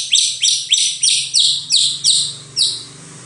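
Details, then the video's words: White-rumped shama singing a fast series of bright, high chips, each sliding downward, repeated about three times a second over a faint low hum. "KICAU MURAI BATU"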